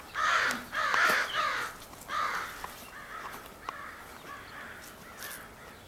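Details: Large extended group of crows, 4 April 2015, thought to be choosing mates; loud hoarse caws, two running close together, then a third, fading into softer distant caws from other birds.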